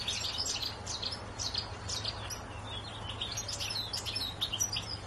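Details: Goldfinch singing in a tree: a fast, continuous twittering of high, bright chirps and short trills, rising and falling in quick bursts, over a steady low hum.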